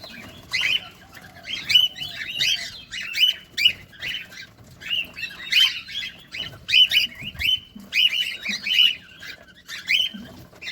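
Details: Caged cockatiels feeding, close up, keep up a busy run of scratchy chirps with whistled tops, steady and overlapping throughout, against a faint hum.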